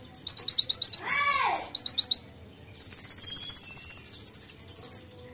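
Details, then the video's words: White-eye singing hard with konin fill-in: fast high chirping with a swooping, falling note, then a long even rapid trill lasting over two seconds. "PLECI NEMBAK ISIAN KONIN GACOR"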